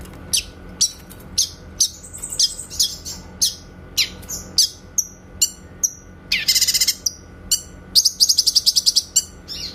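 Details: Clear 'tembakan' song of a grey-cheeked bulbul for training white-rumped shamas: a steady series of sharp high chips about every half second, then a loud harsh burst and a fast high trill.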